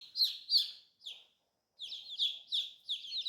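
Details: Colorful newly hatched baby chicks peeping: loud, high downward-sweeping peeps in quick bursts, a short pause, then a faster run of repeated peeps, with no other sounds.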